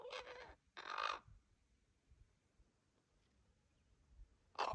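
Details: Common raven fledglings still with their parents, growing impatient while awaiting food: three loud, raspy, croaking begging calls, two close together at the start and one after a long quiet gap.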